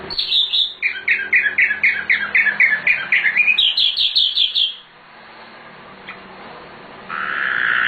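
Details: Sikatan londo, or nightingale, in a full, energetic master song for training birds, pouring out a fast regular series of short chirping notes about four per second, ending in a higher run and a rough buzz.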